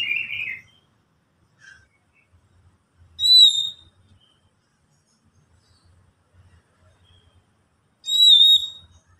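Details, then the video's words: White-rumped shama song used to prompt other shamas to sing: sparse clear whistles, a warbled note followed by two pure rising whistles separated by long silences. "Pancingan Kacer agar cepat bunyi super ampuh"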